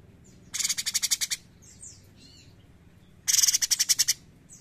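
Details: Bulbul known locally as cucak cungkok, giving two rapid rattling bursts of crisp high pulses, each burst under a second, with quiet slurred whistled notes between them.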